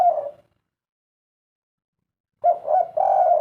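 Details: The tail of a spotted dove coo fades into silence, then a fresh 'kuk 3' phrase follows: two short mellow hoots and a drawn-out third, all low and gentle.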